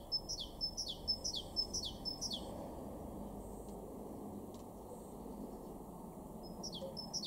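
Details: Garden great tit in Weener, East Frisia, northwest Germany, in April 2023, delivering a quick run of high, ringing two-part notes that fall in pitch. It goes silent for several seconds, then starts the phrase again near the end.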